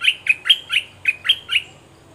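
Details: Red-whiskered bulbul decoy calling to an aggressive wild bird; seven clipped, slightly squawky chirps spaced about a quarter second apart, with a short gap midway through the series.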